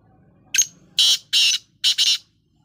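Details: Black francolin heard while dust bathing, giving a clipped high note followed by three loud, harsh, buzzy grating bursts in quick succession, the last one doubled.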